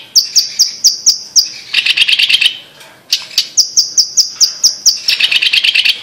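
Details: Blue-masked leafbird from Sumatra, Indonesia, singing runs of high, crisp repeated notes that break into buzzy rapid chatter, twice in succession with a short pause between.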